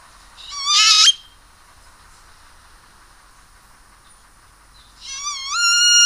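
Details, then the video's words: Great-tailed Grackle producing two bright, harmonic-rich whistles four seconds apart, each climbing in steps and ending with an abrupt upward flick. "O canto da Iraúna mexicana"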